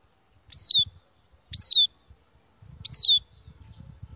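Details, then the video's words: A bird called al-na'ar, whose call is used as a hunting lure, gives three high, clear whistled calls, each sliding downward, about one to one and a half seconds apart over low rumbling and knocking noise. "صوت طائر النعار"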